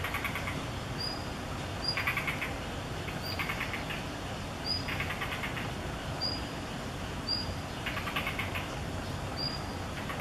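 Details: Female blue rock thrush bringing food to a fledgling in an apartment corridor, 16 May 2021, gives short, high chipping alarm notes about once a second at a person nearby, over steady rushing background noise.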